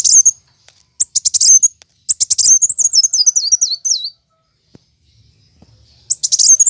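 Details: Plain sunbird giving its fighting song: stuttering high chirp bursts, then a long zigzag trill sliding gradually lower, a pause with faint low rumble, and another chirping burst.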